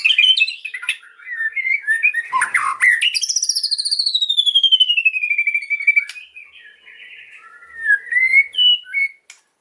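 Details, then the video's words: White-rumped shama pouring out cililin-filled song, with mixed chatter, then a long rapid trill sweeping slowly downward over several seconds, followed by soft scattered whistles. "MURAI PASTOL BONGKAR ISIAN CILILIN AUTO NGAMUK"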